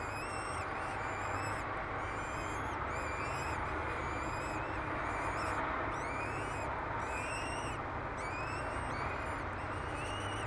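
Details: Two Peregrine falcon chicks, hatched 10 May 2007, being fed at the nest on the tower of Derby Cathedral, England. They give high, thin, rising wheezy notes in quick irregular bursts over a steady low rumble of traffic or wind.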